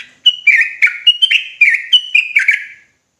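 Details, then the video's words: Sooty-headed bulbul singing agitatedly in the rapid-fire ropelan style: about ten short chirpy notes in quick succession, alternating higher clear notes with lower buzzier slurred ones, over about 2.5 seconds, then silence. "Trucukan gacor ROPELAN NGOTOT EMOSI"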